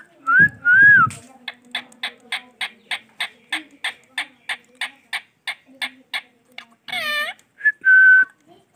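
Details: Male ringneck parrot, a rose-ringed parakeet, shown talking: two short looping whistles, then a fast even run of about sixteen clipped chattering notes, a harsh ringing squawk, and a closing flat whistle.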